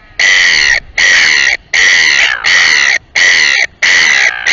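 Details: Royal albatross calling at the Taiaroa Head breeding colony near Dunedin, New Zealand: loud, harsh, braying notes repeated about every 0.8 seconds in a steady series of six.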